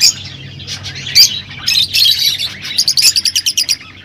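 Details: Rosy-faced and Fischer's lovebirds twittering to encourage mating: scratchy chatter, then a quick, even string of about ten high chirps in the final second.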